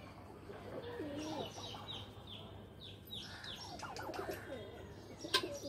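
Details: Loft pigeons at play give soft, wavering coos in two bouts, mixed with thin descending whistles and chirps from other birds and a sharp clap near the end.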